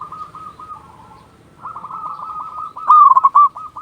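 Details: Zebra doves, a local strain with a strong voice, calling as a lure. Softer overlapping cooing builds, then one loud clipped phrase of rolling coos sounds near the end.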